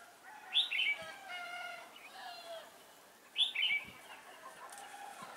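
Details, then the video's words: Red-whiskered bulbul used as a trapping decoy, singing to lure wild birds, 11 December 2016: two loud, quick whistled phrases about three seconds apart, each a short tumbling warble followed by fainter notes. "Bẫy chào mào Mồi tập sự ra trận"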